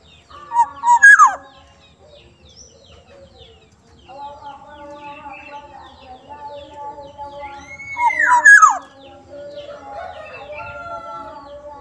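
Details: Black-naped oriole of Sumbawa singing softly: a whistled phrase ending in a downward slur, a long arched nasal call later, with a continuous humming tonal background throughout.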